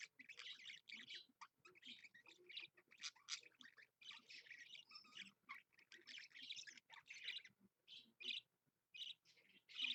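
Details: Captive budgerigar on a morning live stream, Monday 16 February 2015, 7 AM. Rapid bursts of shrill, scratchy twittering come in clusters separated by brief gaps, a steady chatter of clicks and squeaks.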